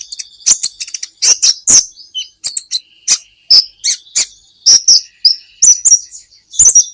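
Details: Olive-backed sunbird (kolibri ninja) from an Indonesian training recording for songbirds: nonstop high sharp chirps and short squeaky phrases over a faint, steady thin whistle, with notes spaced roughly a few per second.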